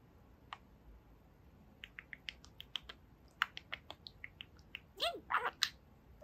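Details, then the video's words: Pet budgerigar, a two-year-old male parakeet, talking and chattering indoors: scattered short clicks and warbled syllables, ending in a burst of rising and falling squeaky notes, with a person coaxing him to say his name. "Boba the Budgie Talks for 4 Minutes! | Talking Parakeet"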